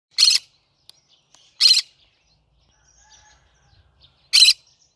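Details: Cinnamon green-cheeked conure, a pet parrot, giving three loud, harsh, broadband squawks spaced unevenly over five seconds, with near silence between them.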